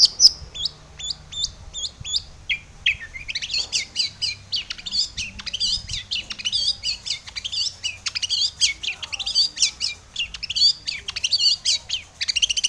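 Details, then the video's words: Long-tailed shrike in full, busy lure song to get other shrikes singing: a few crisp repeated chirps open into a long, rapid, chattering medley of high twitters and squeaks without pause. "SUARA cendet gacor full isian pancingan cendet agar bunyi"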